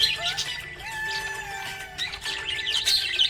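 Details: Happy budgerigar chirping in a rapid, uneven stream of bright high tweets and scratchy warbles, with a steady sung melody and music playing underneath throughout.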